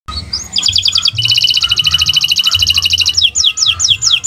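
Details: Canary song in a bird-keeping training recording: a fast, even trill of repeated bright notes that runs for several seconds, then slurred phrases repeated in quick sequence. A soft low hum sits underneath.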